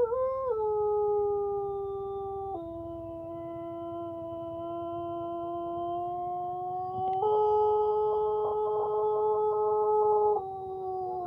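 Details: A contest-winning Pelung rooster gives a very long, melodious crow, held steady and stepping between pitches for over ten seconds.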